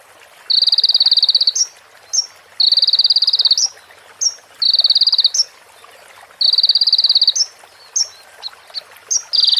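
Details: ['Sunbird training recording mixing in female prinia and bar-winged prinia phrases: repeated dense buzzy high bursts about a second long, each followed by a short upslurred chip, with a few extra chips near the end.']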